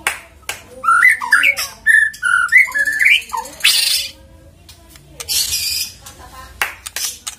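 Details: Lure recording of white-rumped shama to start a bird singing: a run of varied whistled notes and slurs, followed by harsh noisy bursts and quieter scattered notes.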